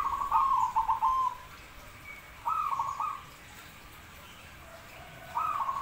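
Zebra dove giving soft, mid-pitched stuttering coos in phrases about a second long, repeated every two to three seconds over a faint background hiss.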